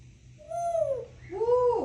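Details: Pet cockatiel whistles two mellow notes, possibly the Mickey Mouse song, the first arching then sliding down, the second rising and swelling, with faint room hum beneath.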